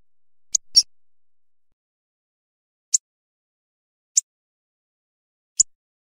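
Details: Hawfinch uttering short, hard, high-pitched 'tzik' clicks, a quick double followed by three single ticks spaced one to two seconds apart, in an otherwise quiet setting.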